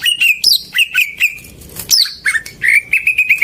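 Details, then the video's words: Greater green leafbird song meant to rouse silent birds into singing: a lively mix of short chirps, sweeping high whistles and quick repeated notes, delivered in a rapid, uneven rhythm. "Pancingan burung cucak ijo macet"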